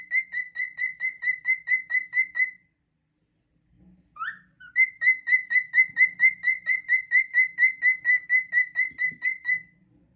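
A cockatiel gives rapid, evenly repeated whistled notes, pausing briefly before resuming the steady series.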